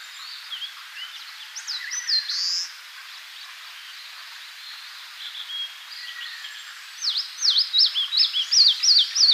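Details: Eastern crowned warbler song in Tainai, Japan, a phrase of short notes ending in a buzzy high note, followed by another bird's loud series of quick repeated swooping whistles near the end.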